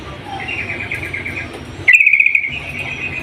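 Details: Female yellow-vented bulbul calling to the male: after a faint, high chattering trill, a short loud burst of rapid, bubbly chattering notes lasts about half a second, over a steady background hiss.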